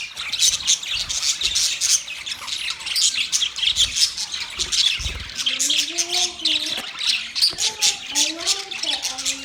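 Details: Budgerigars chattering in busy, continuous high squeaky chirps and clicks, joined after the midpoint by lower wavering, warbled tonal phrases.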